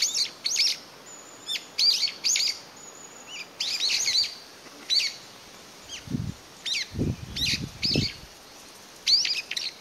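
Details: In May 2021, one Brown-eared Bulbul calls eagerly for companions after losing its family, tilting its head to listen. Sharp, shrill chirps come in uneven clusters throughout, while a few low thumps sound near the middle.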